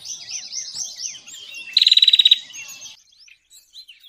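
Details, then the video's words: Bar-winged prinia lure call used for trapping birds: a loud, rapid buzzy trill of evenly spaced pulses lasting about half a second, preceded and followed by a busy mix of high chirps and twittering from many birds. "suara pikat burung cigun ciblek"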